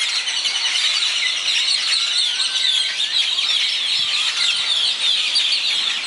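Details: Daybreak birdsong in Zapotitlan de Mendez, Puebla: a thick, continuous chorus of countless high chirping and twittering voices, with a few clearer drawn-out whistles rising above the steady mass of sound.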